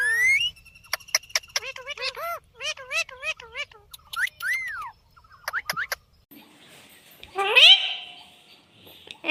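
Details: Pet parrot talking, saying 'mummy' and asking for roti; short high-pitched wavering speech-like phrases with rising and falling tones, then a louder squawk-like burst near the end, over a quiet indoor background.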